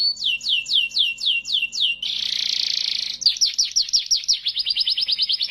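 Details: Canary in Indonesia, learning to sing: rapid descending whistled sweeps repeated several times a second, then a dense buzzy rattle, followed by faster chirping trills.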